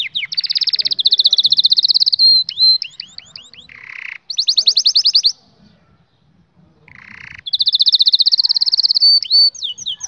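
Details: Canary singing as a tutor recording for young canaries. Rapid high trills alternate with sweeping notes and a lower buzzy phrase. There is a silent gap, then a fresh burst of fast rolling trills.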